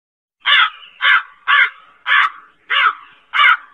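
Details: Crow uttering six harsh, clipped caws in quick succession, spaced a little over half a second apart, each coarse and nasal with a short fading tail.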